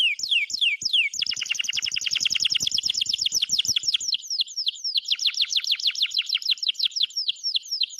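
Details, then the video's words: Cheerful canary singing, a few descending whistles leading into a long dense trill of quick repeated swept notes, which slows into evenly spaced chirps toward the end. "Canary Chirping Sound - Beautiful Singing Canary Bird"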